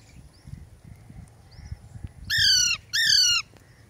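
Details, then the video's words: Pet Ringneck and Alexandrine parakeets; after quiet background rustling and faint soft chirps, two loud, harsh, downward-sliding screeches follow in quick succession near the end. "My lovely Ringneck and Alexandrin Parrot mian Mithu talking Parrot"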